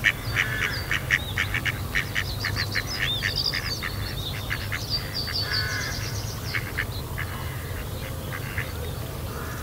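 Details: Female Mallard calls while being roughly mated at Kirriemuir RSPB, with another male attacking the mating drake. She gives a long, uneven series of loud, nasal quacks, dense at first and then thinning out, over steady low background rumble.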